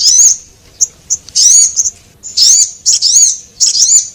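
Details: Javan munia lure call, male and female, for attracting small birds. Slurred, high, thin chirps come in uneven groups, with brief tiny ticks in the gaps between them.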